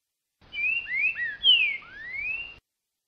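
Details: Green-winged saltator in the soft 'boca mole' song style, singing in October as birds warm up for the singing season: a phrase of five clear, sliding whistles, some rising and one loud falling note, then a long upslurred final whistle.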